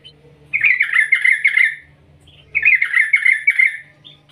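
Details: Yellow-vented bulbul (trucukan) ngerol ngetir call, played to lure other trucukan into calling; two harsh, chattering phrases about a second long each, two seconds apart, with a faint low hum beneath.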